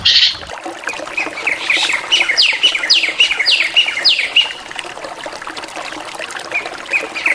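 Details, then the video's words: Drongo in lively 'gacoran' variation, pouring out a fast, chattering sequence of descending slurred notes that slowly fades to softer, scattered chips. "SRIGUNTING VARIASI GACORAN"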